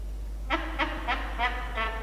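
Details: Yurruga, a young peregrine falcon at Orange, NSW, Australia, makes strange noises on 31 October 2021 while the father sits on the ledge. It gives five short, nasal, slightly honking calls, about one every third of a second, over a steady low hum.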